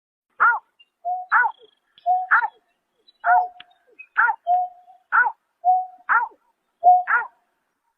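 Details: Greater painted-snipe calling at night in March 2024: about eight harsh, arched, harmonic notes roughly once a second, each followed by a short flat whistled tone, in an otherwise quiet background.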